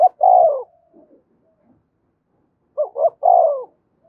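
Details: Cooing of a spotted dove meant to provoke fighting: the end of one long coo, a pause, then a full phrase of two short upswept notes leading into a sustained, gently falling coo.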